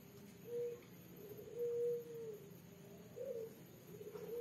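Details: Night-time calling of a female spotted dove, red with a black collar, in the 'kuk 3' style: three mellow cooing notes, the middle one longest and level, followed by softer trailing coos.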